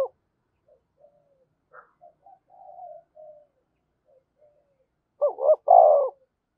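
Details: Decoy spotted dove giving luring calls: scattered soft low coos and a brief higher note, then one loud phrase of two quick rising coos and a long rolling coo.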